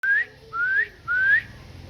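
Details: Pet parrot said to be talking gives three clear rising whistles, each about a quarter second long, spaced roughly half a second apart, with a faint low hum beneath.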